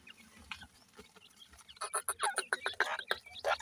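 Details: Young Irani teetar (francolin) chicks being reared and growing day by day: a faint start, then a rising run of short, rapid, high chirps and peeps mixed with sharp pecking clicks, repeated several times a second.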